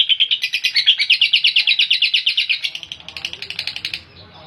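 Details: Lovebird in a sustained rasping trill, rhythmic buzzy pulses about three per second for roughly three seconds, then fading out into faint background rumble.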